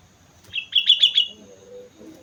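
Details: On Mount Slamet a sooty-headed bulbul gives a lively (gacor) phrase of four clear, ringing, evenly spaced notes, then a soft low hum.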